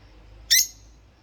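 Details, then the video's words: A single sharp, high chirp from one of two rosy-faced lovebirds singing and chirping, brief and harsh, rising out of near silence with a soft low hum beneath. "Love Bird Singing And Chirping Sound// Rosy Faced Love Bird"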